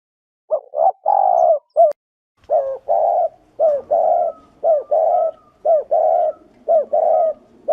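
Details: Thổ rền-style cooing of a spotted dove, played as a lure for wild doves: clear, low, rolling coos in repeated two-part phrases, a brief gap near the start, then a steady rhythm of about one phrase per second, with a quiet background.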